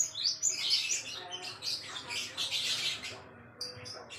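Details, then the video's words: Java sparrow singing as a tutor for songbird training, giving a dense, fast stream of high twittering and chattering notes with few pauses and a brief higher whistled phrase near the end. "burung gelatik wingko buat masteran"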